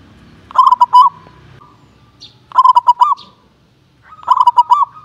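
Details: Local zebra dove, often a champion in contests, giving contest-class calls: three bright phrases roughly two seconds apart, each a burst of short notes and a sustained final note, faint low rumble behind.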